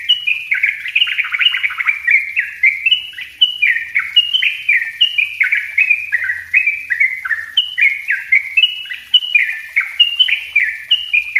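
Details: Yellow-vented bulbul song for luring birds: an unbroken stream of sharp, descending whistled notes, roughly three or four each second, bouncing between higher and lower tones throughout eleven seconds.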